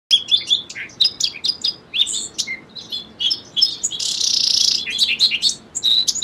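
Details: Song sparrow singing a dense run of bright high notes: crisp repeated chips, short slurred whistles, and a harsh buzzy burst near the middle, followed by more rapid chirps to the end.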